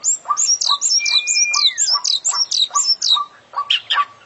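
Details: Oriental magpie-robin (kacer), a champion-class bird, singing a full 'isian' mimicry-filled song: rapid high downslurred whistles repeated about four times a second over lower short notes, with one long level whistle sliding downward midway.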